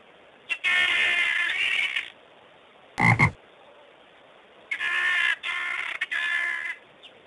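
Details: Helmeted guineafowl calling with harsh, grating, rasping bursts: a long bout of about one and a half seconds, a short sharp burst, then three more rough bursts in close succession, with quiet background between.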